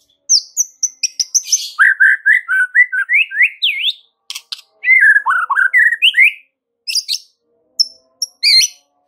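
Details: White-rumped shama song played to train other shamas to answer: a rich, loud series of rapid high whistles, then repeated upslurred notes in quick succession, then brief pauses and sharp high phrases.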